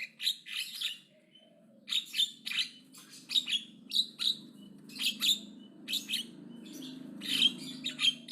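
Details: Javan myna chattering loudly and aggressively: a steady series of rough, scratchy squawks, roughly two per second, with uneven spacing and a low steady hum in the background.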